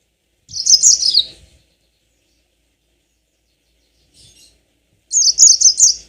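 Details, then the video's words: Yellow-fronted canary lure song: a high, quick warbled trill that drops slightly in pitch, then after a four-second pause a second bright, evenly pulsed trilled phrase. "Pancingan tercepat burung mozambik biar gacor ngerol panjang"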